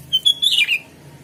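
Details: Sooty-headed bulbul song phrase used as a lure to make other bulbuls answer: a short burst of bright chirps running into a loud, slurred, descending whistle, all high-pitched, with a faint low hum underneath.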